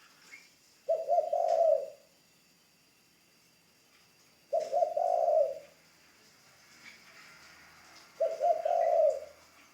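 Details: Spotted dove, a new ground decoy bird in training, gives three low, mellow cooing phrases spaced about three and a half seconds apart. Each has a short lead note and then a longer, throaty coo.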